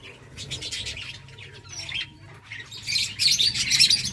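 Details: A finch colony eating eggfood, chirping over one another, high thin tweets in busy overlapping bursts that grow louder and denser toward the end.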